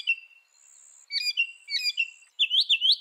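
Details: Varied northern mockingbird phrases: a short whistle, jumbled sharp calls and slurs, then a closing run of four rising-falling chirps.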